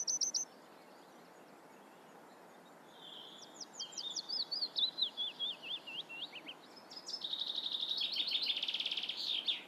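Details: Eurasian reed warbler song: a chattering run of high, scratchy notes and quick repeated phrases, rising into a dense buzzy rattle, over a quiet background.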